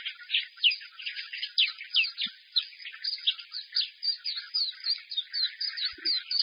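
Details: Loud song from a caged white-eye held up in its cage: fast, tumbling high warbles with bright slurred notes packed tightly together and steady energy, a soft knock near the end.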